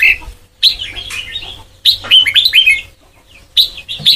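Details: White-cheeked red-whiskered bulbul singing in the Sông Kon style, used for song training: bright warbled phrases with sharp rising and falling notes, three bursts separated by short pauses, with a faint low hum underneath.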